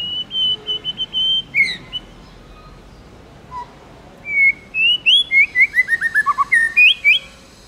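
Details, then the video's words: Tame white-rumped shama singing in the wild "forest voice" style: long steady high whistles, a short pause, then a rapid run of clear slurred whistled notes stepping downward, about four per second, and a final upswept flourish. "Chích chòe lửa hót giọng rừng hay"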